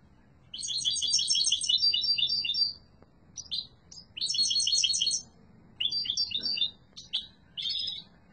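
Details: Loud song of a yellow-mutation European goldfinch: bouncy runs of quick chirping notes broken into several phrases of varying length with brief gaps, over a faint low background hum.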